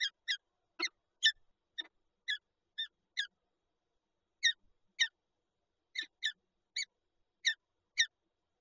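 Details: Peregrine falcons, a pair at their egg nest in Lublin, Poland, on 19 March 2022, utter a long series of short grating notes, sometimes paired, spaced irregularly over eight seconds with a brief pause midway.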